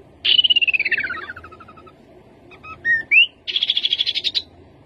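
Rufous-capped babbler: a quick descending trill of clipped notes, a few short upslurred whistles, then a fast level trill at high pitch.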